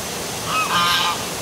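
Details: Goose at night by the city hall waterfall in Milford, Connecticut, giving a drawn-out, two-part nasal honk that rises and then falls, set against steady roaring water noise.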